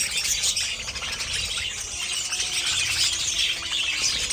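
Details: Pet budgerigars squawk and chirp rapidly, about three short sharp notes each second, mixed into continuous high-pitched chattering from several birds.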